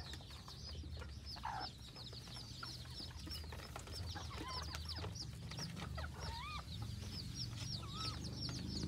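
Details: F2 red junglefowl hybrid decoy chicken in Phon Thong, Roi Et, Thailand, giving quick clucking calls and short rising and falling chirps, about three a second, over busy chatter from other small birds and a low hum.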